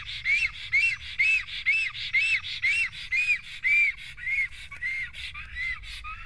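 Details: At a black stork nest in Estonia, an unwanted visiting stork arrives. Rapid, rhythmic squawking whistles, about two each second, each curving up and down, grow softer and lower toward the end.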